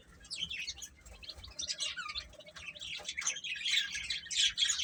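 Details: Baby chickens chirping while eating: many overlapping high, thin peeps and short downward-sweeping chirps, packed densely and uneven in loudness, getting busier and louder toward the end.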